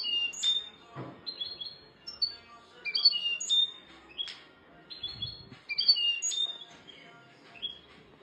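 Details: European goldfinch giving sparse, high tinkling phrases and short chirps at a slower pace, separated by brief pauses, with occasional low thumps in the background.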